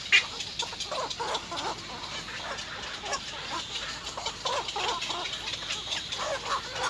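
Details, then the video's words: Begging chicks of little egret, three young pecking their parent at the nest for food: a continuous stream of scratchy, clucking notes in quick bursts, fairly even in loudness, over a hissing background. "little egr Three baby birds bite their mother to feed"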